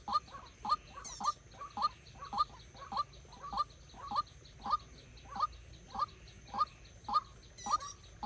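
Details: Decoy white-breasted waterhen for trapping: strong, evenly spaced croaking calls, about fifteen in eight seconds, each rising to a sharp bright accent, with brief high metallic rattles from something nearby.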